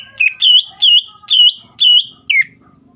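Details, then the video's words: Greater green leafbird (cucak ijo) singing vigorously, in a recording meant to provoke a rival into singing: six loud, clear whistled phrases, each a bright slurred note, spaced roughly every half second over a quiet background. "CUCAK IJO GACOR MEMANCING EMOSI LAWAN AGAR LANGSUNG BUNYI"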